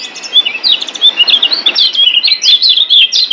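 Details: Lombok yellow white-eye, locally kecial kuning, giving a master song for caged-bird training: energetic high chatter of short whistled notes, rising and falling quickly in an unbroken run.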